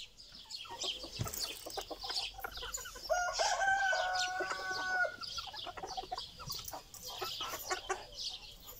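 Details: Silver Zibrit Brahma chickens kept as ornamental poultry in Istanbul, from a 2020 flock: scattered clucks and scratchy noises, then a drawn-out tonal crow lasting about two seconds, followed by more clucking and flock chatter.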